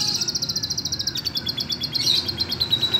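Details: Domestic canary from Indonesia, a green bird tutored with lovebird song, singing rapid trilled phrases of high buzzy notes repeated several times a second, shifting into thinner whistled notes, over a low background hum.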